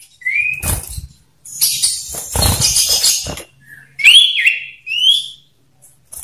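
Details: Male common iora singing loudly in a one-on-one duel, meant to lure other ioras: clear whistled upslurred notes near the start and end, broken by bursts of harsh noisy chatter and a low background hum.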